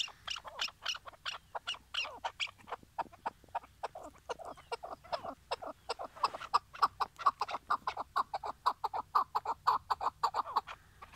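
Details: Chukar partridge used as a tied decoy before hunting in Şırnak, Turkey: a long, fast chain of clucking chuck notes that grows steadier and more rhythmic in the second half.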